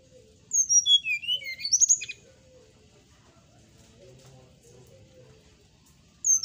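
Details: A songbird's morning phrase, used to coax quiet captive birds into singing: a rapid run of sharp descending whistles lasting about a second and a half, then near silence with soft low background murmur and a brief high note at the end.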